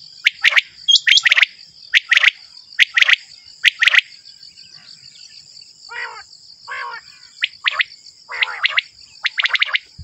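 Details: Repeated clipped triple notes from a male common quail, roughly one phrase every second, with a pause midway and a few rougher rasping calls, all above a constant thin high hum.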